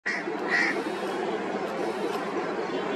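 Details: Indian grey hornbill giving two short, squeaky, nasal calls in quick succession at the start, over a steady, dense background hiss and rumble.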